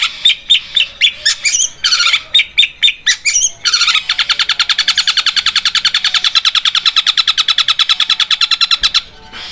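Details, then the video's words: Long-tailed shrike (cendet) in a training recording of its rapid 'Armageddon' rolling song, like a sharp sewing machine. Scattered chirps and harsh notes lead into a long, steady, very fast rattle of identical notes lasting about five seconds. "Masteran Cendet suara Armageddon seperti mesin jahit tajam Gacor roll speed"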